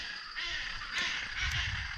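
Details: Hyacinth macaw parents at their nest in Colombia or Bolivia, unhappy as a researcher climbs about 60 m up the tree to place a camera trap: harsh, raspy, almost unbroken squawks with two louder grating bursts, over faint low rumble.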